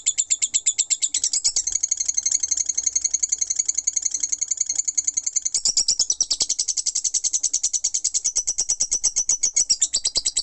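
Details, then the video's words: Lovebird delivering ngekek, a long non-stop chattering song, as high, rapid, sharply pulsed notes, about three a second, in a steady unbroken stream that shifts slightly in tone after the middle. "Love Bird Ngekek 5 Menit Non Stop"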